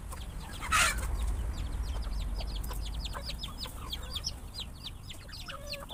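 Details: After a sharp, loud bang early on, many feeding chickens, surprised by the noise, break into rapid overlapping high chirps and peeps that continue steadily to the end over low rumbling.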